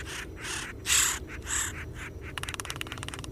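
A Red-headed Woodpecker gives harsh, raspy churring calls, two louder than the rest, then a quick run of rattling taps near the end.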